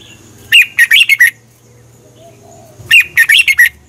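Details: Red-whiskered bulbul song played to train or excite caged birds: two matching phrases of five bright whistled notes each, about two and a half seconds apart, with a faint low hum between them.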